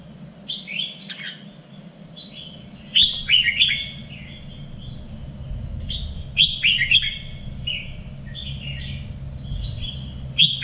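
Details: Red-whiskered bulbul singing for contest training: a long run of chirpy warbled phrases, several loud bursts among quicker soft notes, with a rumbling low background noise building midway.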